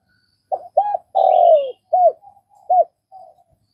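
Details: A Vietnamese spotted dove coos one clean phrase: two short arched notes, a drawn-out coo gliding downward, then two separated rounded notes, with a faint higher twitter over the long note.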